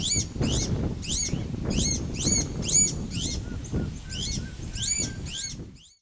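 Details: Several Iberian Azure-winged Magpies (Cyanopica cooki) in Doñana National Park, Spain, in April 2011 call over one another with high, arched, slurred notes about twice a second above a low background rumble.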